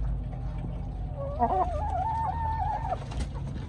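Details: Chicken giving a wavering, warbled call of about two seconds that bends up and down in pitch, set against a steady low rumble and background noise.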